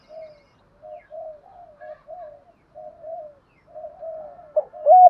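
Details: Decoy spotted dove, trained for luring, giving soft low murmured coos in short repeated bursts, ending with a louder hooted note; no other sounds.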